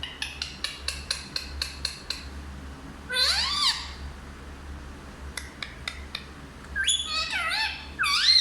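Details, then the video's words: Hindi-speaking talking parrot gives about eight rapid dry clicks. A swooping, voice-like phrase follows, then more clicks and a string of bending, speech-like notes at the end. A low hum runs underneath. "सबसे अच्छा हिंदी बोलने वाला तोता ll Parrot Talking"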